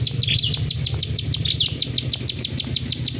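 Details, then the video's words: Rapid high clicks from a plain prinia in 'klik ngacor' style, mixed with a few squeaky downslurred chirps, over a noticeable low droning hum. "Burung prenjak sawah klik ngacor"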